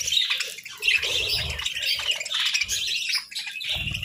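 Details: Sunbathing budgerigars in continuous scratchy chatter, warbling and chirping in overlapping bursts, with soft low knocks and rustles in the background.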